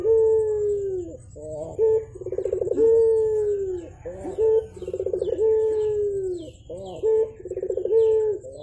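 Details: Javan turtle dove, known locally as puter, in full voice in the morning: repeated phrases of a vibrating rolled trill and a prolonged, smooth, falling coo, each separated by brief sharp notes.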